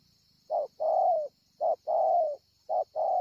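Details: Strong cooing from a wild spotted dove recorded at Ngọc Hồi on 25 March 2020. Short clipped note, then a longer slightly falling coo, the pair repeating about every second over a faint steady high hum.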